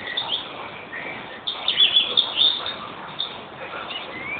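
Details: European greenfinch in a short burst of rapid, bright twitters and chirps in the middle, with quieter notes around it and a steady background hiss.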